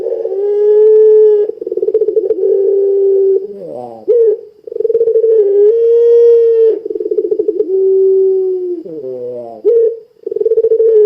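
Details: Puter pelung dove lure call to get other doves calling: long runs of deep, even cooing, interrupted twice by short descending warbled phrases, with the steady coo resuming after each.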